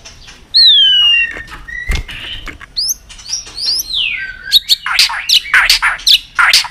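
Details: White-rumped shama, roused to sing, giving clear descending whistles and sliding notes, then a dense burst of harsh, noisy chatter with sharp clicks.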